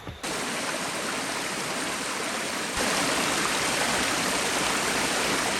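A loud, continuous rush of a stream or waterfall on the Fiery Gizzard Trail in Tennessee covers the recording, with no animal voices.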